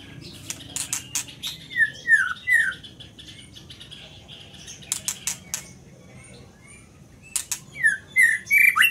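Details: Scarlet minivet singing short bright whistled notes that sweep down then up, given in quick runs of three or four, separated by sharp clicks and taps.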